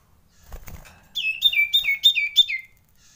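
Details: Frightened common iora giving a fast series of five clear downslurred notes, roughly three per second, each sliding down and ending in a short level tail, preceded by faint rustling.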